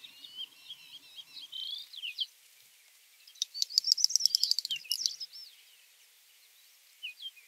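Great Snipe: high, twittering notes, then a fast burst of dry clicks mixed with thin, sweeping whistles lasting about a second and a half.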